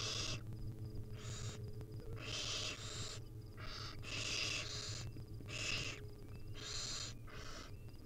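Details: Hungry barn owl nestlings in the wild, being fed by their mother, keep up overlapping hoarse hissing screeches, short bursts tumbling one after another with brief gaps, above a steady low hum.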